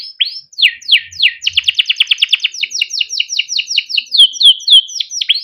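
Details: Rolling 'ngerol' song from a caged male canary, recorded to coax other canaries into singing: a few sweeping downslurred notes, a rapid rattling roll, then evenly spaced chirps and clear whistled slurs.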